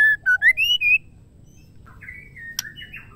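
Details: Female white-rumped shama calling a male: five loud, clear whistled notes in quick succession, the last ones rising and sliding. Softer, wavering whistles follow after a pause, with one sharp click.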